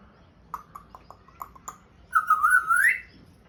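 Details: African grey parrot kept as a pet, attempting speech: a few soft clipped chirps, then one long clear whistle that holds steady and sweeps upward at the end.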